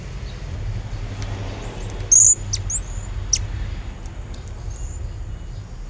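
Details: Blue-crowned hanging parrot in energetic song, used as a lure to call a rival: one loud, thin, high note at about two seconds among a few fainter high notes, over low background rumble.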